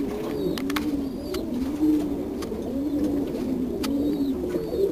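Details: Blue frillback fancy pigeons cooing: a low, continuous, rolling coo that rises and falls in gentle waves, with scattered faint clicks in the background.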